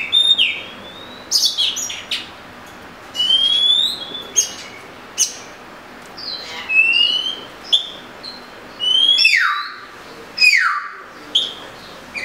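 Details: Oriental magpie-robin song of separate clear whistled phrases, many rising or falling slurs, some with sharp descending sweeps, given in bursts every second or two.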